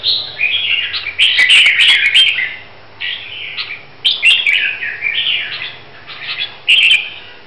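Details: Red-whiskered bulbul from Hue, Vietnam, a bird being prepared for a singing competition, delivering loud warbled phrases of two to four kilohertz notes with quick rising and falling slurs, bursts roughly every second with short gaps.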